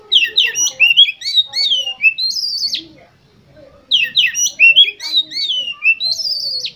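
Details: Oriental magpie-robin singing, meant to prompt contest birds to sing: two rich, varied phrases of quick slurred whistles and chirps, each closing on a long high whistle, with a short pause between them.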